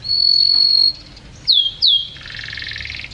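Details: Yellow canary song fragment: a bright, steady high whistle held for nearly a second, then two quick downward-sliding notes, followed by a soft, buzzy rolling trill.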